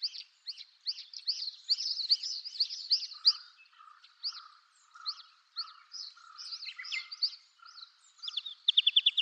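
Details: Red-capped Lark, a passage migrant, recorded on Yonaguni and Hegura islands, Japan, giving quick, dry chirps in rapid bursts ending in a fast trill, with a lower, softer piping note underneath.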